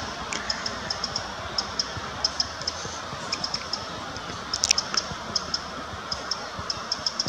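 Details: A Eurasian wren gives alarm calls, hard, dry ticking notes, irregular and often two or three per second, over a steady background hiss, at Mühltal on the Würm.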